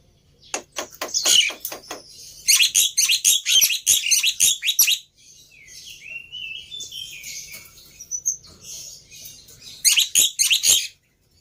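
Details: Black-winged myna lure song played to make another bird respond. Rapid harsh chattering runs alternate with a softer stretch of thin whistled phrases, including a rising slurred note, before a final burst of grating notes.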